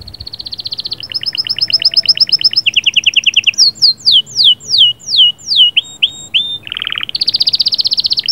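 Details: Canary song in the sahsahat and batbatat style, meant to stimulate the female: fast repeated trills at several pitches, a run of sharp downslurred whistles, then a low buzzy roll and a bright high trill.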